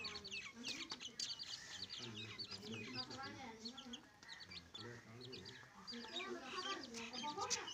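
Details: Domestic hen with two chicks: soft, low clucks in short repeated bursts, overlaid by many thin, high peeps from the chicks throughout.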